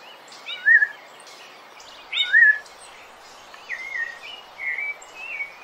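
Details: Melodious song of a Rufous-bellied thrush for teaching birds: two loud, clear, downslurred whistles, then a quieter series of short whistled phrases, some rising, some falling.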